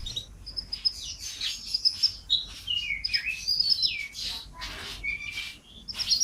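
A canary sings a fast, continuous run of bright, high trills, twitters and rising and falling whistles with hardly a pause.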